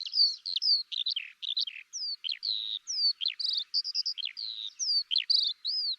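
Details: Eurasian skylark song, often given in flight and heard in both spring and winter: a fast, unbroken stream of high chirps, slurred whistles and buzzy trills, about two notes a second, with no other sounds.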